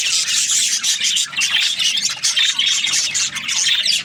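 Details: Several budgerigars chirping at once: bright, scratchy twitters and squeaky notes layered into an unbroken flock babble.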